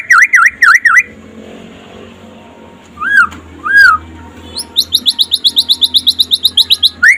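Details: Daytime song of a white-rumped shama (murai pastol, trotol style), a master recording for getting other shamas singing: V-shaped notes, two slurred whistles after a pause, then a fast rattling series of high upswept notes.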